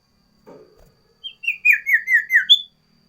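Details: Sooty-headed bulbul (sirtu) in varied, loud, lively song: after a faint low rustle, a rapid run of six whistled notes, each slurring downward, finishing with a high bright note.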